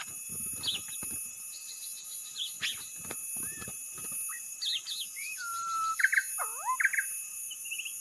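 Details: Varied white-rumped shama song used as a lure: thin high notes and clicks at first, then a long level whistle, ringing stacked bursts and a deep swooping slur near the end.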